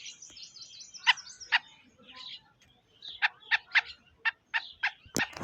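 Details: Black francolin recorded in July 2025 giving harsh, clipped notes, first a pair and then a quick run of five or six, with faint twittering of other birds and a loud knock at the end.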